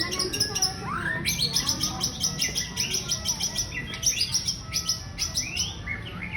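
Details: Female white-rumped shama of the Jomin type singing: rapid, high, sharp repeated chips and short whistled slurs, fast and steady throughout, over constant low background hum.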